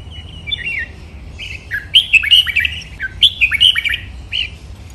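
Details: Red-whiskered bulbul singing in captivity, Thai competition styles including doubled '23 counted notes', master pattern, lak wai and Pa La-u song, used as a copy model: liquid whistled phrases with downward slurs, repeated in two clear warbling runs.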